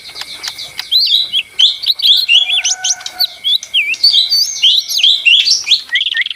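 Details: Energetic lesser green leafbird song of sharp upslurred and downslurred whistles, quick twitters and short trills, steady and dense, over a faint continuous tone.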